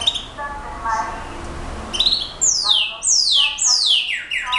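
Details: Brown-backed solitaire, locally called clarín, singing a quick run of bright whistled slurs that sweep steeply downward from very high to mid pitch, three or four in close succession after a few short high notes, with faint lower tones behind.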